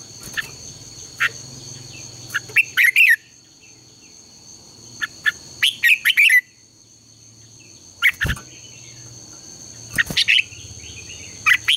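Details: Morning contest singing of a red-whiskered bulbul, used as a lure to train other bulbuls: four short, bright, jumbled phrases spaced two to three seconds apart, with scattered single chirps and a steady high background tone.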